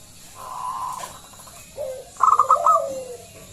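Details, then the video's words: Local zebra dove used to coax other doves into song: a faint held tone and brief low coo, then a loud run of quick staccato notes sliding into a falling coo. "Pancingan Perkutut lokal SUARA BESAR"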